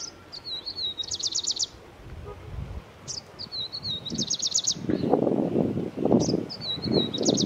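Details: A Grey-breasted (Franklin's) Prinia in Himachal, India calls with a high, thin phrase ending in a rapid buzzy trill, repeated about every three seconds over a low rumble of background noise.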